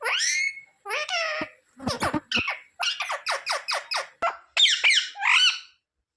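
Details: Pet parrot mimicking human words in a small room, asking for roti; harsh, squawky syllables tumble out in a rapid chain, some raspy and some bending upward, with brief gaps.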